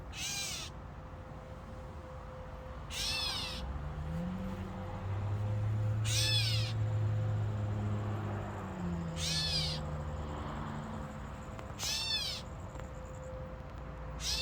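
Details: Catbird in fig trees giving five short, arched, meow-like wails at intervals of about three seconds, while a low engine-like rumble swells in the middle and a steady faint hum continues.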